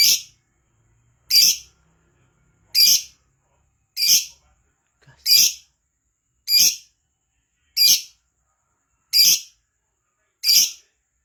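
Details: Lovebird singing gacor, meant to draw other lovebirds into song: nine rasping, shrill chirps at fairly even intervals of just over a second, with faint low knocks between.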